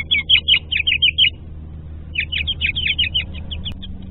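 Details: House finch pair, male and female, conversing in their nest in March 2020: two bursts of rapid bright chirps, each about a second long, separated by a short pause, with faint low background hum.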